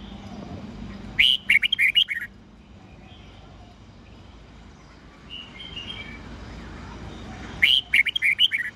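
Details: Red-whiskered bulbul song used for training young birds, described as an old wild-bird voice: two bursts of bright, clear warbled notes near the start and end, separated by a quiet stretch with low background hum.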